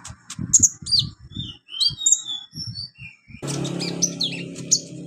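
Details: Olive-backed sunbird song on a recording for training beginner birds: high piercing chirps and twisting whistles, with low thumping knocks at first and a droning hum in the later part.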